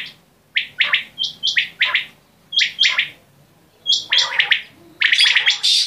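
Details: Quail (batair) uttering quick clusters of high, chirpy notes, some clear and whistled, others rougher, in bursts roughly a second apart.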